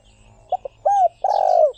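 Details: Spotted dove giving one full coo phrase: two short clipped notes, a smooth arched coo, then a long, rough, rolling coo that falls at the end.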